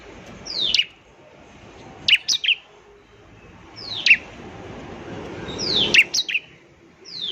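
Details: Bar-winged prinia, the 'ciblek semi', used as a lure song: sparse sharp downslurred whistles and short clusters of high chips every couple of seconds, against noticeable background hiss.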